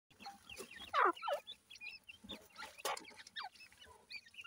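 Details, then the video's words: Grey francolin chicks feeding, giving short thin peeps that rise and fall in pitch, scattered through the clip, with sharp clicks and scuffling sounds between them. "francolin tetar chicks voice"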